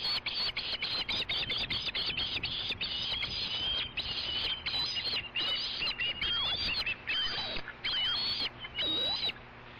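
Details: At a wild osprey nest, one adult lands first and is chased off by another just before a fish delivery; a rapid run of high, thin, whistled chirps repeats continuously, some notes sliding, with clicking noise throughout.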